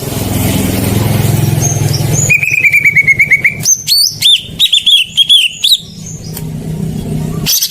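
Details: Greater green leafbird song used as a lure to get silent birds singing: a run of short repeated chirps, then loud varied whistled notes and sharp rising phrases, after a low rumbling hum at the start.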